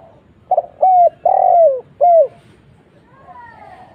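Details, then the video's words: Lure recording of a spotted dove: one phrase of mellow low coos, a brief stuttered start, a smooth note, a longer falling coo and a closing note, followed by softer distant cooing in a quiet background. "SEMUA LANGSUNG NYAUT..!!! suara burung tekukur kuk 1"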